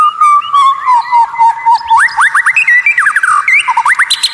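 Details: White-rumped shama, a caged bird, singing an unusual, rare tutor song used to rile rivals: a clear whistled phrase sliding down near one pitch, then quick rising upsweeps repeated several times a second with higher chattering notes above.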